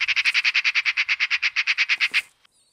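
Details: A Eurasian Magpie at a Russian forest edge gives a harsh, rattling chatter of about seventeen rasping notes, roughly eight a second, for two seconds, then stops; nothing else is heard.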